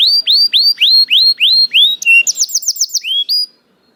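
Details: Singing canary delivers a series of looping rising whistled notes about four per second, then a quick burst of high trilled syllables and two final upslurs.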